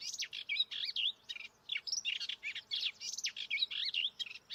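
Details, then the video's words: Melodious warbler male, freshly back from Africa, singing fanatically at dawn: rapid chattering phrases of twisting whistles, harsh chirps and mimicked notes of other birds, including African species, delivered almost without break. "After I had recorded the dawn chorus, I did find the melodious warbler singing fanatically about 500 metres further along the path. Here he is."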